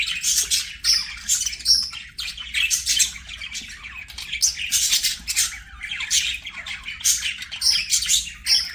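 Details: Budgerigars singing while they play: steady, rapid squawky chatter and harsh chirps in pulsing bursts, with occasional thin whistled notes.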